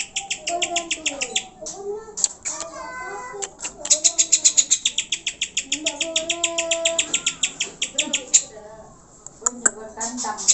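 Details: Greater green leafbird song used to excite pet birds into singing: long bursts of rapid high chattering notes broken by brief pauses, mixed with lower wavering whistles and hoot-like tones.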